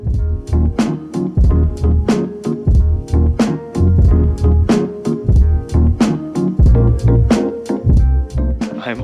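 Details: Loud funky band music with steady drum hits, bass and guitar throughout, and no animal calls.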